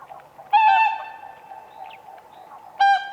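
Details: A whooper swan on a spring lake, dancing on ice, gives two loud trumpeting honks roughly two seconds apart, with faint flock calls between.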